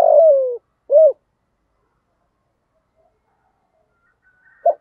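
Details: Decoy spotted dove, 'giọng thổ' voice, used to prompt other doves to call: the tail of a long falling coo and one rounded coo, then several seconds of near silence before a single short note at the end.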